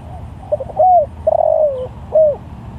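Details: Spotted dove cooing to other doves: quick soft opening notes, a bright slurred note, a drawn-out wavering coo that drops in pitch, and a clipped closing coo, against faint background noise.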